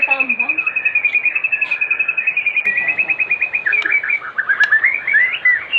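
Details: White-rumped shama singing as an afternoon lure for other shamas: a long, rapid, even trill of high notes that shifts into quicker descending chips and bright whistled flourishes.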